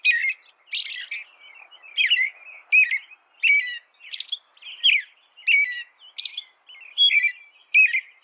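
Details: Song of an American robin, offered for training songbirds: rapid, separate warbled syllables, some sliding downward, others with shrill high tips, following one another about every half second with no other sounds present.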